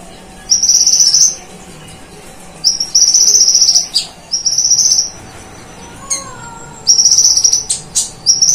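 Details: Vocal kolibri ninja sunbird singing fully with mimicked cililin and golden grasshopper phrases: sustained, thin, buzzing high trills broken by brief clicks and one lower slurred whistle, phrases returning every second or two.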